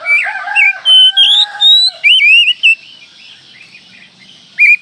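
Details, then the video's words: Kacer (Oriental magpie-robin) in full song: lower slurred notes mixed with loud, ringing, high whistles in long connected phrases, then a pause and a single sharp whistle. "Masteran Kacer Manjur"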